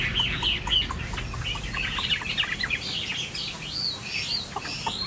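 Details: Chinese hwamei kept as a tame cage bird, its varied whistled phrases fainter and blurred against a rumbling, noisy background with soft clicks.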